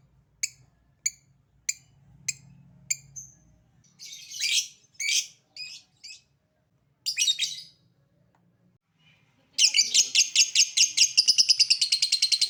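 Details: Lovebird opening with 'ngetik' ticks, about six sharp clicks, then a few harsh squawky notes, and finally breaking into fast, buzzy 'ngekek' chattering, a sequence said to make other lovebirds respond.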